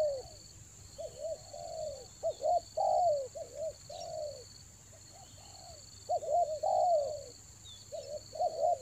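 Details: Decoy spotted dove used to lure wild doves at Toba in the rainy season, cooing in low phrases of short clipped notes and a longer falling note, repeated with uneven pauses over a steady high-pitched whine.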